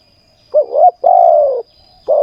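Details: Spotted dove singing during ground decoy trapping in Thailand: a wavering two-part coo, then a long, steady, slightly falling croo and the start of another short coo. The background is quiet.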